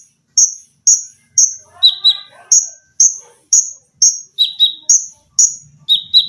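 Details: Olive-backed sunbird, a caged bird kept as a training tutor, giving rapid, closely spaced high piercing notes, about two per second, alternating with lower shrill chips, plus a brief soft lower warble in the middle.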